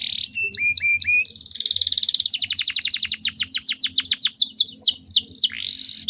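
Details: Breeding-condition female canary, whose song is meant to provoke other canaries into singing: short whistled upslurred notes, then a long accelerating run of steep descending sweeps, ending in a rising slur.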